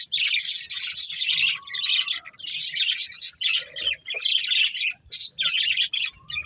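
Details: Budgerigars from a breeding pair giving rapid, buzzy high chatter in bursts of one to two seconds separated by short gaps, with a faint low tone in the background.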